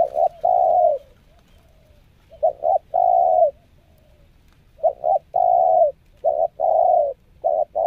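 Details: Spotted dove on its second training session as a decoy bird, showing nekan nguku, selang nguku and Meratus nguku coo styles: short double notes followed by a sustained mellow coo, repeated in steady phrases over a quiet background.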